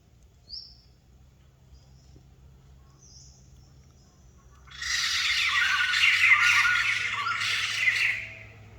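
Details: White-crested laughingthrush, described as a rare bird: after about five seconds of quiet with faint high squeaks, a loud, harsh, rapid cackling chorus bursts in and runs for roughly three and a half seconds before fading.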